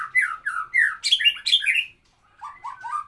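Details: White-rumped shama (murai batu) song in the rapid 'nembak kapas tembak' style: a burst of loud, varied whistled and slurred notes, rising and falling in quick succession, then a short pause and softer, descending whistled notes.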